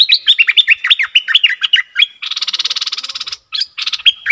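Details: A very old captive bulbul (merbah) decoy bird, recorded 31/12/2021, gives quick bursts of bright, bubbling whistled notes, breaks into a harsh buzzy chatter for about a second, then returns to the whistles.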